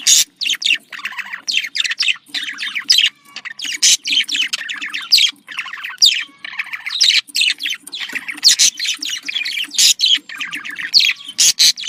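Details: Continuous budgerigar contact chatter, said to be joyful: overlapping warbles, squawks and chirps in quick succession with sharp bursts, almost no silence.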